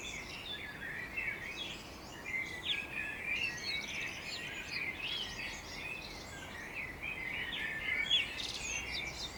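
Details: Wild birds singing on a morning on the outskirts of Budapest, Hungary: a dense chorus of many overlapping high chirps, twitters and short whistled notes, continuous throughout, over a steady background hiss.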